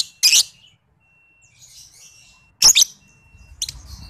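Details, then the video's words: Lovebird chatter played as a lure to prompt singing in young birds under five months: loud harsh shrill bursts at the start and near the end, with softer high twittering between. "PANCINGAN MASTERAN LOVEBIRD PAUD BALIBU"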